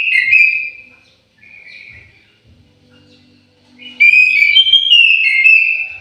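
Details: Aviary-kept orange-headed thrush giving clear whistled phrases, a strong opening note, softer mid phrases, then a loud rising and falling warbled run; low background hum.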